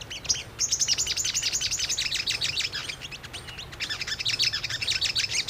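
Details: Brown-throated sunbird singing as a lure to provoke a response: a continuous, busy stream of high, sharp chirps and twitters, quick and uneven, with a short break just before the fourth second.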